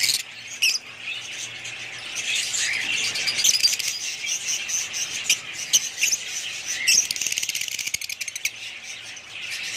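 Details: Budgerigars of one family keep up soft high warbling, with scattered sharp chirps and a rapid train of clicking ticks near the end.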